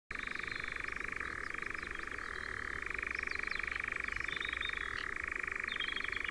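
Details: European nightjars in Ringwood Forest near Verwood, Dorset: an unbroken, rapid, mechanical churring trill that holds steady, then drops slightly in pitch around one second and climbs back near three seconds; faint higher chirps sound above it.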